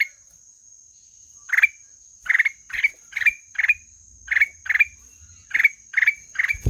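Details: Black-headed bulbul starting after a pause into a brisk string of buzzy, upward-flicking notes, about two per second, ending with a low bump; faint low rumble and steady high tone throughout.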